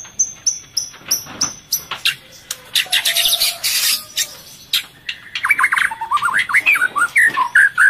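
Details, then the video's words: Breeding-condition female white-rumped shama feeding its chick, giving sounds to stimulate males: a series of high, short, evenly spaced notes, a noisy rustling stretch, then rapid chattering warbled notes. "Burung Murai Melolloh Anaknya dan Suara Pancingan Murai Birahi untuk pancing Jantan Birahi"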